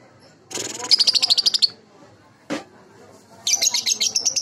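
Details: Baby lovebird calls used as a lure to draw replies from other birds: two bursts of fast, shrill, buzzy chirps, each about a second long and repeated many times per second, separated by a single short click.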